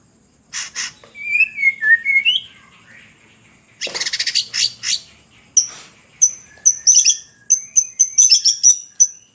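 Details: White-rumped shama singing in separated phrases: a slurred whistled run, a pause, then a burst of scratchy rapid notes, followed by a series of high clear whistles and sharp chips spaced about half a second apart.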